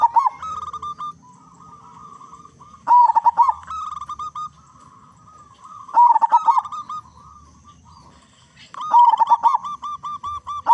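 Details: Loud local zebra dove in full song, played as a lure to prompt other zebra doves to call: rolling bursts of fast, stuttering coos repeating about every three seconds, linked by softer trilled cooing.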